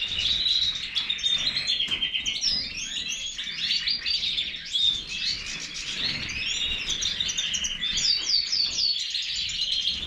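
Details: Continuous bright twitter from a European goldfinch of the Major form, mixing rapid chirps, short nasal notes and fluid whistled flourishes at an even, lively pace.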